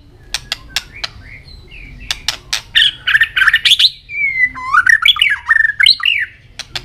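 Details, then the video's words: Contest-singing white-rumped shama, tail flicking: scattered dry clicks lead into a dense run of varied warbled phrases, then sweeping whistled slurs that rise and fall. "chòe lửa hót đập đuôi liên tục,kích chòe lửa hót đấu căng lửa sổ nhiều giọng"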